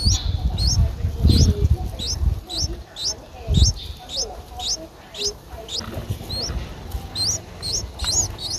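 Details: Nine-day-old Streak-eared Bulbul nestling in Ubon Ratchathani, Thailand, 11 April 2023, eyes opened two days earlier; thin, high upslurred notes repeated roughly every half second over low rumbling handling noise.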